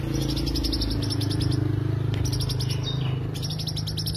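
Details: Greater green leafbird song used as a lure: quick, evenly spaced high chips strung into chattering phrases with one short gap, backed by a loud low hum.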